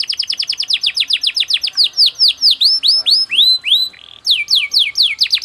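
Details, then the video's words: Canary delivering a fast, tightly packed cengkok song of loud swooping whistled notes, some falling and some rising, repeated quickly with a brief pause before the sweeps resume. "MASTERAN KENARI PALING DICARI‼️irama lagu cengkok speed rapat"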